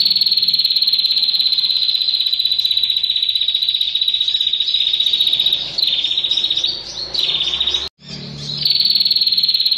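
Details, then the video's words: Female bar-winged prinia calling to the male with a long 'ngentir' trill: a rapid, high, even buzzing trill held for about six seconds, then broken by short chirped notes, a brief silence, and the trill resuming. "PRENJAK BETINA MEMANGGIL JANTAN , ngentirrr puanjang"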